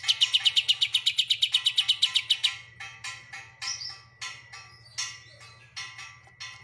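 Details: Greater green leafbird in full song, with an Oriental white-eye's song in its repertoire: a fast run of about fifteen sharp, high metallic notes, then varied chirps and buzzy phrases, over a constant low mechanical hum.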